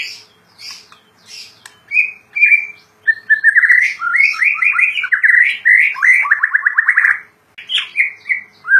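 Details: White-rumped shama, called murai batu, kept and singing in lively gacor style: high chips, then a long flowing stream of rich warbling, trilled and whistled phrases, varied and almost unbroken for about five seconds.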